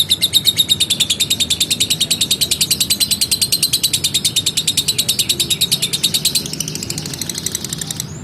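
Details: Lovebird in a long ngekek, a rapid steady chain of harsh high chattering pulses running on for several seconds, easing slightly in loudness near the end, with a soft low background hum.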